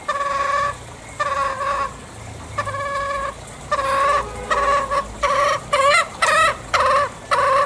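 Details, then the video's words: Bali green junglefowl repeating rich, nasal calls, first longer and steady, then quicker and shorter with wavering pitch toward the end, about two per second. "Suara Ayam Hutan Hijau Bali"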